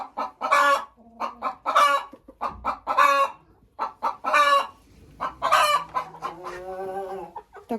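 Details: Laying hens giving their egg song, a cackle heard when hens are laying: bursts of short, harsh clucks that build into loud, drawn-out squawking notes, repeated roughly every second or so, with a lower, steadier voice near the end.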